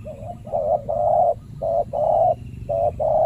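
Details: Spotted dove coos from a territorial male, the banana-garden boss, challenged by a trained decoy dove during trapping in a banana plantation: short mellow hollow coos in quick repeated bursts, low rumbling background noise.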